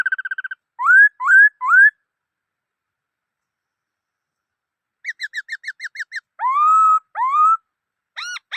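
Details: Loud whistled song of a black-throated laughingthrush: a fast trill, three rising slurred whistles, a rapid string of short notes, then long drawn whistles and brief upswept calls.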